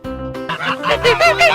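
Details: Goose honking in a series of short, nasal, harmonic honks that grow louder toward the end, over steady background music.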